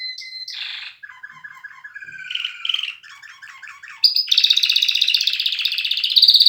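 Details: Singing canary delivers varied phrases: a short whistle, then a series of rattling rolls at different pitches. These lead into a loud, dense, high, rapid trill that carries to the end.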